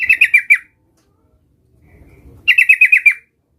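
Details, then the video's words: Young sooty-headed bulbul learning its rolling song: two short bursts of five or six rapid, clear chattering notes, about two seconds apart, with near silence between them. "suara trucukan gacor belajar Ngerol"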